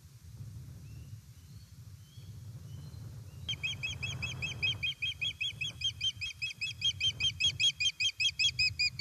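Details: Osprey at a nest in Estonia on 1 September 2019, late afternoon, as a fish is brought in: after a few seconds of low rumble, a rapid series of sharp high whistled chirps begins, about two or three per second, growing louder.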